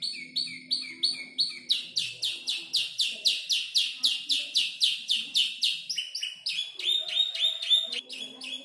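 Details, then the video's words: Five-month-old canary learning to arrange its song from tutor birds such as ciblek, klik-klik and prenjak lumut: rapid series of bright, high chirps repeating about four times a second, shifting into different trill phrases. "Kicau burung kenari gacor noto lagu U 5 bulan"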